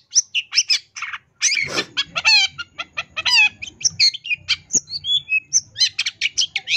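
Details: Long-tailed shrike song from 2022 for training caged birds, full isian tambakan style: dense varied phrases with rich stacked harmonic notes, harsh bursts and quick whistled slides, nearly continuous, with a soft low drone.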